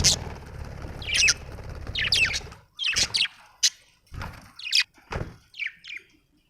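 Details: Budgie chirps, short sharp downward squeaks repeated every half second or so, over a low rumbling background that fades after the first few seconds.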